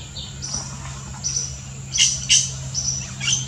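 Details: Yellow-rumped cacique in the Brazilian Amazon giving a varied sequence: thin whistled notes, then two loud sharp chock notes about a third of a second apart, with more whistles after.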